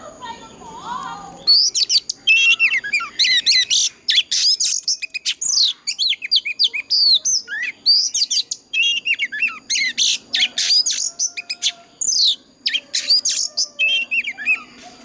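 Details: Oriental magpie-robin giving a loud fighting song in old wild-forest voice, used to train caged birds and spur them to sing. After a short low murmur comes a dense, unbroken run of shrill whistles, trills and harsh buzzy notes.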